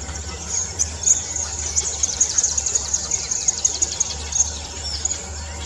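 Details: A Northern red bishop (orange bishop, Euplectes franciscanus) gives a thin, sizzling, very high chatter of rapid ticking notes that runs almost without pause, over a low steady hum.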